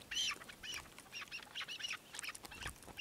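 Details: Chukar partridge giving a quick series of short, nasal, harmonic clucking notes, about five in three seconds, some rising slightly, with faint background hiss.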